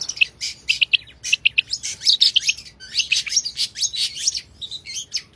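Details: Long-tailed shrike in full, rich fill-in song: a jumble of high chattering notes, short rising whistles and scratchy trills, delivered in uneven bursts with a faint low hum underneath.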